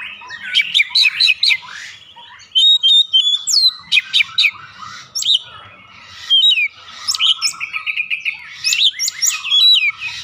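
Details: Oriental magpie-robin lure song: rapid stuttered chirps open a varied sequence of clear whistles, slurred notes and fast trills, loud throughout with short gaps between phrases.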